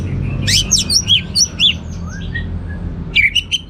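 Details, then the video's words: Gacor teler song of an Orange-headed thrush, full of varied material: rapid high sweeping whistles and twitters, a short softer falling note, then a final cluster of bright chirps, with steady low hum behind. "Suara Gacor Burung Anis Merah Teler Materi Melimpah"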